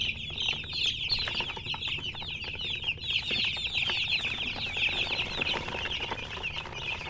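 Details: Intense, bright chirping from many chickens, rapid high peeps crowding over each other for the whole stretch with little else audible.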